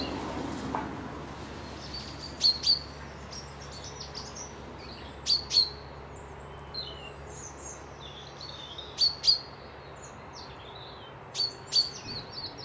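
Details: Wild birds near a loch in Dundee: a sharp, high two-note whistle repeats about every three seconds, with softer chirps from other birds between and a faint low hum throughout.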